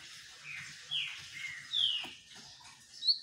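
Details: Green-winged saltator taking a sunbath, giving a fairly soft series of slurred whistled notes against faint background rustling and hiss.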